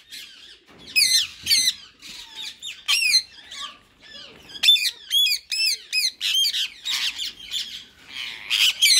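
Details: A white male and a green rose-ringed parakeet in talking mode give a fast run of screechy, harsh squawks and buzzy chatter in uneven bursts, growing denser and louder toward the end.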